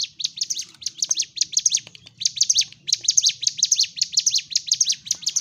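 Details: Sunda warbler giving an energetic fighting song to rouse other birds: quick series of high, sharp chirped notes in short clustered phrases, a brief pause near two seconds, then steady rapid chirping again.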